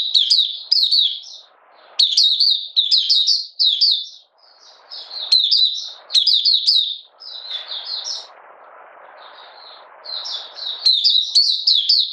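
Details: Long sequence of 'buka sing' song from a caged Malaysian Oriental white-eye in minor moult, 31 July 2023: repeated high twittering phrases with short breaks, and a stretch of low hissy noise beneath the singing midway.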